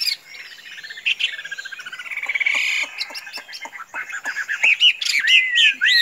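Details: Tame Chinese hwamei, kept as a pet and said not to fly off when let loose, gives harsh buzzy churring notes with sharp clicks, then breaks into bright slurred whistles.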